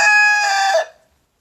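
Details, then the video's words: Leghorn rooster's crow, a loud, rich, steady tone held under a second before fading into silence. "Ayam Leghorn BERKOKOK"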